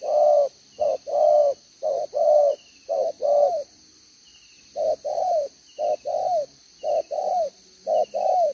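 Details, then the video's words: Spotted dove kept as a decoy bird, two-row necklace, giving the 'gáy 1 hậu' coo on 11/6/2023: two bursts of deep, rounded coo notes, five or six in each phrase, split by a pause of about a second, constant high whine behind. "ĐỒNG gáy 1 Hậu"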